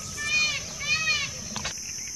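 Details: Indian peacock in an open area, calling to a peahen and challenging others: two loud, wailing, harmonic-rich calls about half a second apart, each arching up then down. A brief knock follows, under a steady high hiss.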